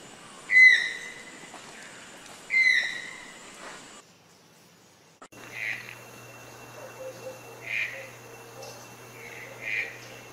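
A toucan gives loud, ringing yelps with a nasal edge, about two seconds apart. After a short gap come fainter, rougher calls over a steady low hum.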